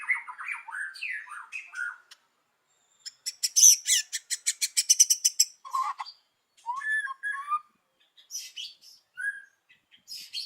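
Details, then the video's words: Morning song of a white-rumped shama used as a lure: varied low whistled phrases, then a fast series of high, dry ticking notes, followed by scattered warbles and sharp high notes. "PANCINGAN MURAI BATU PAGI HARI 98% IKUT BUNYI"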